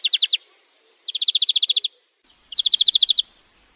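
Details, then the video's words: On a song-tutoring recording, a European greenfinch gives three fast rattling trills of bright repeated notes, the longer two of about ten to twelve notes each, separated by short pauses. "Flurya Ötüm Huylandırma-My real record education CarduelisChloris تغريد الحسون الأخضر"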